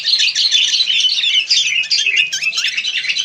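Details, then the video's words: Wild sooty-headed bulbul giving an unbroken run of shrill, bubbling twitters with rapid rising and falling notes, busy and chattery from start to finish. "Rame Kicau Burung Kutilang"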